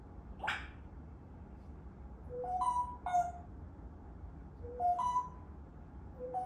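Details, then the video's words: African grey parrot giving clear whistled phrases of two or three pure notes stepping upward, repeated in several groups after an opening noisy burst, in a quiet room. "Talking Africa grey parrot عشر دقايق #تحفيز من ببغاء رمادي افريقي يتكلم"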